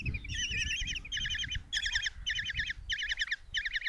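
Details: Nestling common kestrels, five in a box at Tiszalök, Hungary, call for food as their mother brings a mouse, 27 June 2024; shrill trilled bursts repeat roughly every half second, with a low steady hum underneath.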